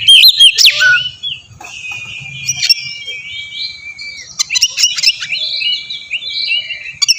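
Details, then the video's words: Oriental magpie-robin, kacer, song used as a lure to draw a reply from a young bird: sliding whistles around a long sustained pure tone, then sharp clicks and short rising phrases, with a faint low hum beneath. "suara pancingan burung kacer ampuh!! buat pancingan kacer bahan dijamin langsung nyaut"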